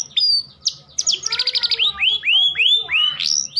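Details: Canary song for stimulating mating in sluggish males: thin whistles, a quick stuttered series, then four or five arched whistled phrases rising and falling, soft low hum behind.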